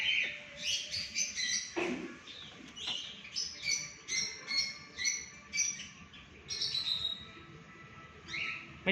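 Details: Alexandrine parakeet calling at 6 am: repeated harsh, squawky screeches in quick series, rising and falling, over a steady background hum and faint other birds.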